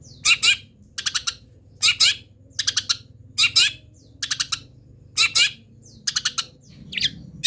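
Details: Local long-tailed shrike in molt, singing its repertoire of imitated wild-bird phrases: repeated groups of two to four rapid scratchy high notes, spaced roughly every second, over a faint low hum.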